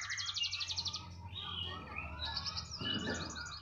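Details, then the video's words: High, fast canary trills, a gliding whistled phrase, then another bright rolling tour; low background hum and rumble. "Kenari *SPECIAL*,, mau di taruh di mana saja tetap gacor"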